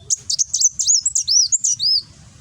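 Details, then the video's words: Sunbird, local name kolibri wulung, in Gresik, Java, singing its fiery nembak song for masteran: a continuous two-and-a-half-second string of high clipped chirps and arched slurred whistles. "Burung Kolibri Wulung nembak"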